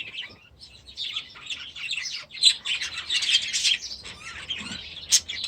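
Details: Budgerigars from last year's brood, newly moved into an aviary. A soft, continuous twittering of several birds swells in the middle, with one sharp high chirp near the end.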